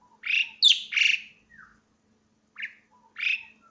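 Asian pied starling giving loud, harsh, scratchy chatters in quick bursts, five or so in under four seconds, with faint thin whistles between.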